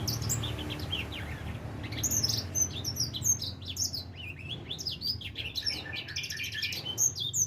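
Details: Edel sanger finch aged four months just starting to sing: a busy, rapid chatter of high thin sweeps and down-slurred chirps, fairly continuous, with low hum behind.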